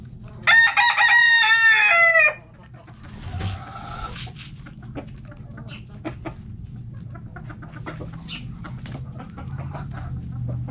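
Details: Backyard chickens in their coop: a rooster crows loudly with a long, harmonic-rich call lasting about two seconds, then hens cluck softly in short, scattered notes over a steady low hum.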